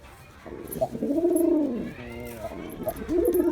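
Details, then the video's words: A performing male Girabaj pigeon gives one long, deep, arching coo, then a softer low murmur and the start of another guttural coo. "Pigeon Sound Effect || Male Pigeon Super Performance || Girabaj Pigeon"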